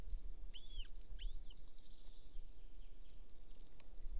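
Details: Golden eagle nest near an Estonian military training ground, 26 April 2024, 13:50: two high, arching, doubled yelps in quick succession, then only faint hiss and low rumble.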